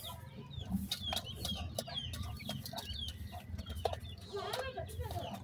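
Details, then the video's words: Two newborn black francolin (Sindhi partridge) chicks give thin, high peeping chirps in quick, irregular bursts, over scattered clicks, handling noise and a low background rumble. "only two chicks of sindhi partridge,sindhi patha ki voice"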